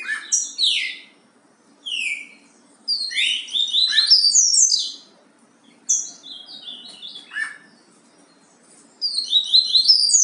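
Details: Yellow-bellied seedeater singing the Bahia song type known as "vai que cola": bright, clear whistled phrases of sweeping and slurred notes, delivered in separate bursts of one to two seconds with short silences between, in a quiet setting.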